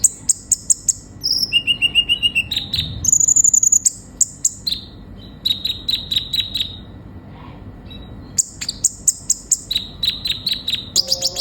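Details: ['Sunbird (kolibri ninja) singing actively, as in a training recording used to prompt other birds to sing: fast bursts of very high, thin chirps and trills, shifting between pitches, with sharp ticks and brief pauses throughout.']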